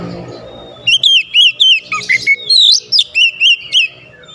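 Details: Oriental magpie-robin provoked by a rival: a steady string of evenly spaced, loud downslurred whistles at roughly four per second, with a brief harsher note in the middle, after a soft murmuring start.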